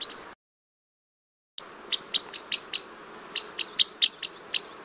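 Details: Crossbill song: a brief opening buzz, a silent gap, then a series of short, sharp, high chipping notes at uneven intervals, with several clustered near the end.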